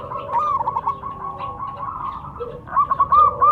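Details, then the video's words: Zebra doves of a local type, male and female answering, giving continuous trilled cooing with rapid stuttered notes, two voices overlapping throughout. "Suara perkutut lokal saling sahut."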